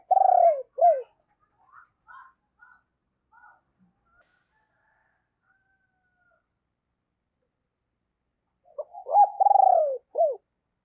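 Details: Spotted dove kept as a lure for wild birds, giving deep booming calls: two low falling coos open, faint soft notes follow, then a long silence before another rolling phrase of descending coos.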